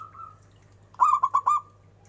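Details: Brief faint tone, then a crisp burst of four fast, liquid coos from a local zebra dove known for its big voice, over a steady low hum.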